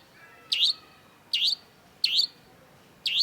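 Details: Long-tailed shrike (cendet) singing to prompt other shrikes: bright, sharp, downward-swooping notes, four in just over three seconds, each brief and clear against a quiet background.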